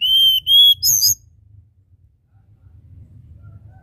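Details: A Sunda robin (mountain tledekan) gives two long, pure, steady whistles followed by a brief burst of rich, buzzy notes within about a second, then only a low background rumble.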